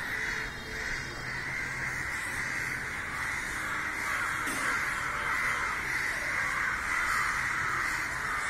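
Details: Hundreds of crows scrambling in the sky, gathering and crying around a dead crow; a dense, continuous chorus of harsh overlapping caws with no pauses.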